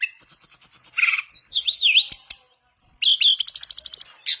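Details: Mangrove blue flycatcher in rich song to prompt another to sing: fast repeated high notes, a swooping up-and-down whistled zigzag, a short pause, then a rapid even trill of high chips.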